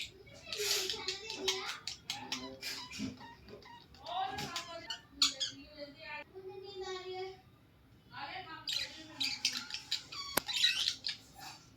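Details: A pet budgerigar playing chatters in fast, scratchy warbles mixed with squeaks and clicks, close to speech in tone.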